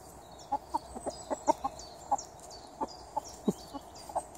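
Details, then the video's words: Chickens kept in a garden give sharp single clucks spaced every quarter to half second, steady and unhurried. Faint high chirping from other birds sits above them. "Hühner im Garten"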